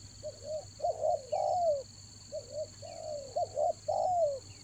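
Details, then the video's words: Spotted dove lure recording for rainy-season trapping: two phrases of short rising coos leading into a longer, drawn-out falling coo, with a faint constant high whine. "TEKUKUR PIKAT RAJA ANGGUK"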